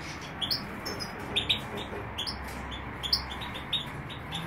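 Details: European goldfinch (major) in Greece singing quick bursts of high, clipped tinkling notes in small clusters, several groups in a few seconds against a steady faint hiss.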